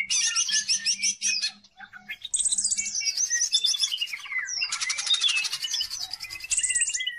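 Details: Greater green leafbird pouring out a varied lure song: high rapid warbling, a long downward whistled glide, then dense buzzy chatter and a closing series of sharp notes.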